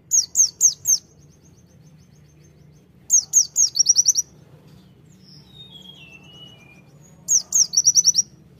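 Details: A Sunda white-eye sings white-eye-style bursts: groups of four sharp high notes, then longer bursts ending in quick chirp runs, spaced a few seconds apart. Soft slurred whistles fill one gap, and a low hum runs throughout.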